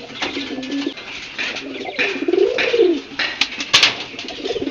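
A pigeon gives low, throaty coos that swell and fall in soft rolling phrases.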